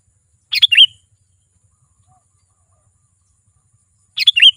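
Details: A sooty-headed bulbul gives two brief bubbly phrases several seconds apart, each a short cluster of warbled notes, used as a call to bring wild birds closer.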